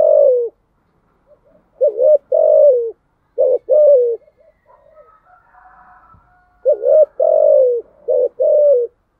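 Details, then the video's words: Spotted dove in thúc gù cooing style, giving several phrases of short clipped notes and long downward-sliding coos, with a faint hum in a quiet gap. "Tiếng chim cu gáy bài bản THÚC GÙ"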